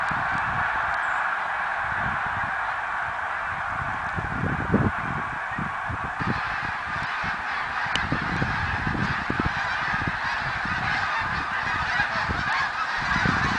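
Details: Large gathering of snow geese, 2014, calling all at once in a constant clamouring chorus of nasal honks, with scattered low-pitched knocks and rumbles underneath.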